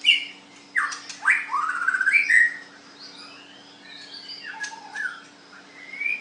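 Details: White-rumped shama in a singing contest; varied loud whistled phrases, sliding rising and falling notes with sharp clicks, separated by quieter pauses, over a steady low hum.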